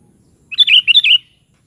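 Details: Sooty-headed bulbul (kutilang) singing in the lively 'gacor' style: one short bubbly phrase of about five quick, warbled whistled notes, rising and falling, lasting under a second, against an otherwise quiet background.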